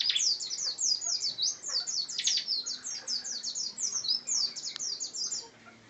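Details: Bar-winged prinia in lively, continuous song: a fast, unbroken series of high, sharply falling chirps repeated several times a second for about five seconds.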